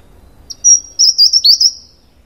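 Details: A Taiwan wren-babbler, a Taiwan endemic of the natural forest floor at middle and high altitudes, gives a very high, thin whistled phrase of about 1.5 seconds, pulsing slightly, then dipping at the end; otherwise quiet.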